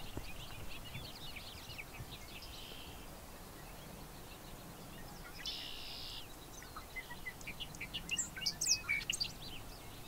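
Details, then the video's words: Bobolink vocalizing with rapid high ticking notes, a brief buzzy band, then a burst of bubbling, tinkling, fast-changing notes toward the end. "Bobolink calls and songs"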